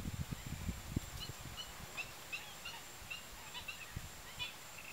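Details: Marsh sandpiper at the Tancat de Milia wetland in L'Albufera: short, high, clipped notes scattered through the recording, some paired, over a steady low rumble of wind and background noise.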